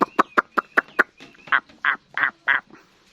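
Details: Wild-caught adult hwamei, kept as a songbird, gives a string of rough, nasal notes. Six quick clipped ones come first, then four longer, grating calls.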